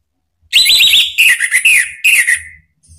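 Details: Orange-headed thrush song, used as a lure to make other orange-headed thrushes answer and sing out. A series of clear whistled notes, first quick rising-falling loops, then slurred downward whistles in several short phrases, with faint low thumps behind.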